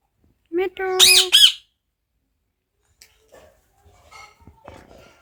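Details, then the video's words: Pet parrot indoors gives a brief voice-like note, a level harmonic tone, and two loud harsh squawks in quick succession, then faint soft clicks and rustles in a quiet room. "পাখিটা কি বলছে আপনাদের একবার শুনুন | parrot"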